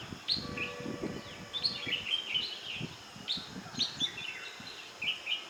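Bulbuls trade bright, bubbly chirps and short liquid phrases, several notes a second in loose bursts, over soft rustling and low background noise.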